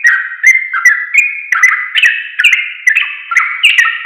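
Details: Sooty-headed bulbul singing, recorded to tutor caged birds: quick succession of rounded whistled phrases with crisp attacks, rising gradually higher across the passage, about two and a half phrases per second, nothing else audible.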